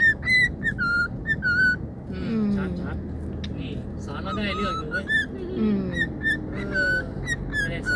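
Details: Pet cockatiel whistling the national anthem, happy while out on an outing: clear whistled notes in short phrases, with a person talking in the middle and traffic noise underneath.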